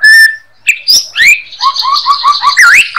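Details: White-rumped shama master song for training songbirds: a clear level whistle, then a busy run of rising slurred notes and a rapid series of short repeated whistled notes, ending in a sweeping upslurred phrase.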